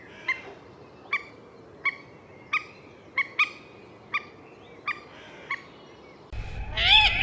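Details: Common moorhen repeating a clipped, sharp note about every three-quarters of a second, ending with a louder burst of rumbling noise and a higher squeal.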